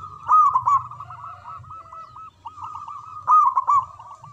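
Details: Local zebra dove singing manggung style with a strong voice: a loud rippling coo opens, then a run of softer looping coo notes, and a second loud rolling phrase near the end.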